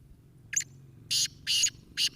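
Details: Captive black francolin gives harsh, grating, high-pitched notes: one short rasp, then three longer scratchy bursts about half a second apart; faint low rumble. It keeps looking upward, possibly at kites or a hawk overhead, as it is not the calling season.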